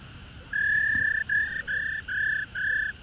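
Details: Mature female black-throated laughingthrush giving the "ro" call used to excite males to sing: a long level whistle followed by four shorter identical flat whistled notes, bright and clean against a quiet hissy background.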